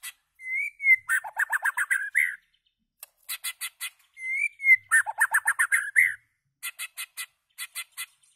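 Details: Loud song of a white-rumped shama, a long clear whistle followed by a fast rolling series of fluty notes and a rising slur, the phrase repeated twice with crisp clicking notes between.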